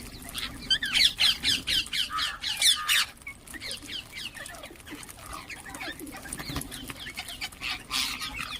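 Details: Ring-necked parakeets calling and chirping: a fast run of harsh, screechy calls, about two per second, for three seconds, then softer scattered chirps over a steady low hum.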